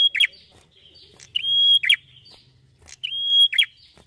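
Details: Prenjak kepala merah (a prinia) in full 'gacor' song: a long, level high whistle ending in a quick downward slurred flourish, repeated about three times with short pauses and little background noise.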